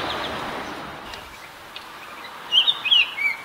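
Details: Adult and juvenile Baltimore orioles: three short, clear, slurred, mid-high whistled song notes near the end, after a stretch of steady background hiss.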